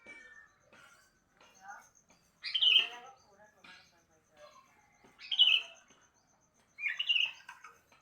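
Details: Sooty-headed bulbul in the morning giving three short bubbly whistled phrases spaced about two to three seconds apart, with scattered softer chirps and a faint steady high hum behind.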